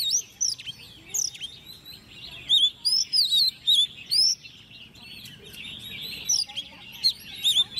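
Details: Hand-reared ten-month-old Oriental magpie-robin kept in a cage, competition singing: a busy, varied stream of high whistles, sharp chirps and rising and falling slurred notes. The phrases burst out irregularly across several seconds.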